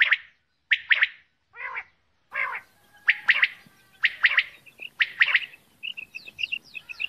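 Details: Female common quail calling: sharp three-note bursts, each note a quick broadband chirp, repeated about once a second, with a few soft higher whistled pips and faint background rustle.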